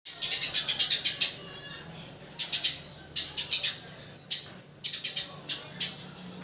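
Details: Eurasian tree sparrow giving bright, harsh chirps in rapid runs of about ten notes, then shorter bursts of three or four separated by brief pauses, with faint low background hum.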